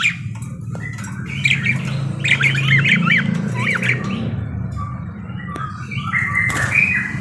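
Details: Rapid, scratchy parakeet squawks and chirps, about two or three per second in irregular runs, followed by shorter whistled calls and a sharp squeak, over a steady low hum.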